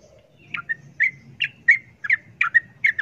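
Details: Agitated sooty-headed bulbul calling at a wild rival: separate clipped chirps, each dropping into a short level tail, about three per second, over a low rumbling background.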